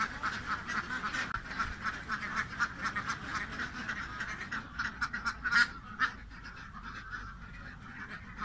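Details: Ducks giving rapid, nasal quacks in uneven bursts, with several louder calls standing out near the end over a steady murmur of other quacking.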